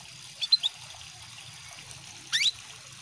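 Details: Calls of a female canary used as a lure to stir males into singing. Quick high chirps come in a cluster of three early on, then another brief burst follows about two seconds later, over a soft steady trickle of water.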